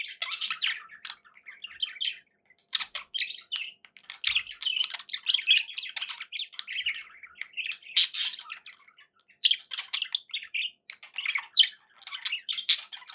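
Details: Pet budgerigars chattering indoors: dense, scratchy warbles and squawky chirps in bursts, almost continuous for thirteen seconds with brief pauses near two and nine seconds.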